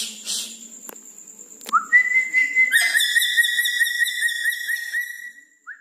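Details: Red-breasted parakeet singing vigorously at night: a short rising note, then a long, steady, clear whistle held for about three and a half seconds with faint wavering, ending with a brief upward slur; quiet room otherwise.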